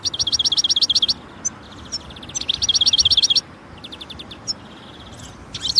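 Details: European goldfinch in nature repeating fast, even trills of the same bright high note in two long runs, followed by softer scattered twitters and a final sharp call.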